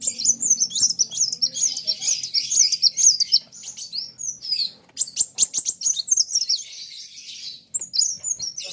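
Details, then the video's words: Kolibri wulung sunbird in full competitive song against a rival: fast, high, jumbled twittering with wavy slurred notes, then sharp clicking chips and renewed warbling. "BURUNG KOLIBRI WULUNG NARUNG GACORR KETEMU LAWAN SAMA" GACORR..RAMAII"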